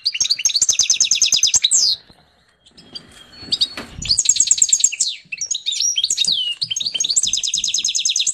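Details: Canary-goldfinch hybrid in song, long rapid trills of repeated high notes alternating with slurred whistles, a brief gap mid-sequence.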